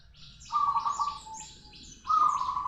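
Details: Two bursts of low, throbbing rolling coos from a local zebra dove, separated by a short pause, with high chirps from other birds around.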